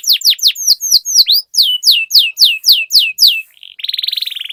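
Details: Canary master song used to prompt other canaries to sing: a steady sequence of loud, clear downward-gliding whistles about four per second, finishing with a brief rapid rattling roll.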